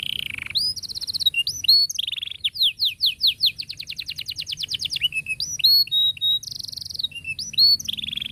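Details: Long canary song with tight rolls for tutoring young canaries: sweeping whistles, a fast series of chipped notes speeding into a dense trill, then buzzy held tones and upslurs, all loud and continuous.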